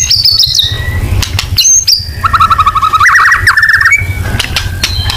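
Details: White-rumped shama singing a 'nembak' lure song: high clear whistles open the phrase, then a fast, buzzy trill of repeated notes, and more high whistles close it. A faint low hum sits in the background.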